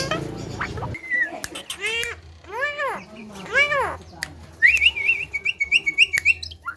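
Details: Javan myna (jalak kebo), a talking bird, giving speech-like arched harmonic syllables, then a rapid series of clipped high whistles near the end, over background music and laughter.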